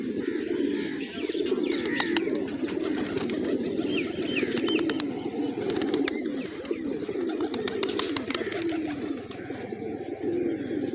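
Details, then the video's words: Village pigeons feasting on grains in the morning: many overlapping low, rolling coos run without pause, with sharp clicks and brief high chirps scattered through. "Cute Pigeons Eating, Playing & Making Funny Sounds"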